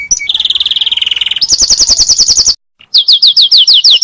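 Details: Canary song for teaching other canaries: a fast, even high trill, then quick repeated rising whistled notes, a brief gap, and more looping upward notes.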